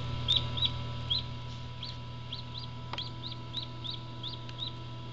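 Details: Black English Orpington chick hatching from the keeper's own parent stock; high, arched peeps repeat roughly three times a second, some faint and some louder, over a steady low machine hum.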